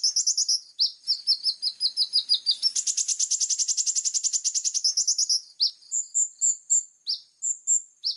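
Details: Plain-throated sunbird singing vigorously in a clear-voiced 'full tembakan' style of sharp bursts: very high, thin chirps in quick runs, building into a dense rapid trill midway, then spaced piercing notes again.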